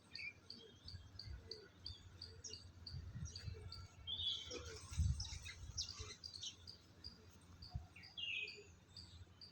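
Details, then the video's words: Garden birds near a blooming Madhu kamini: a thin, high chirp repeated steadily about twice a second, joined by scattered louder twittering notes, over low background rumble. "nice bird chirping sound"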